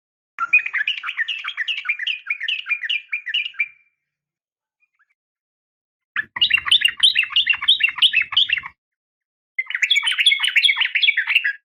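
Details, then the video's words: Female sooty-headed bulbul calling males in the morning: three long, rapid trills of bouncing, up-and-down notes separated by pauses of a few seconds, with faint low rumble during the second trill. "suara panggilan pagi bikin emosi , semua burung trucuk terpancing ikut bunyi gacor dan ropel panjang"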